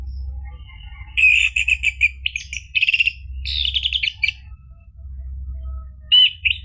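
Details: Orange-headed thrush song for encouraging a caged bird to sing: clustered rapid chirps and buzzy notes in short bursts, a quieter gap, then a loud final burst, over faint low hum.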